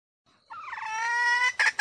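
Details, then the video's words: Red junglefowl hen's lure call for attracting males: a wavering note that settles into a steady, drawn-out nasal tone, ending in two abrupt harsh clucks. "Suara Ayam Hutan Betina"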